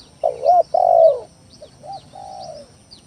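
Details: Spotted dove lure call for stirring up rival doves: one loud, throaty coo phrase with a long sustained final note, followed by a short soft coo and a lower drawn-out one, chirps faint above.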